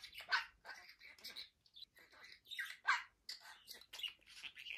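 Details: Pet male budgerigar chattering while playing with his toys indoors; varied scratchy warbles and squeaky notes in quick irregular bursts with brief pauses between phrases.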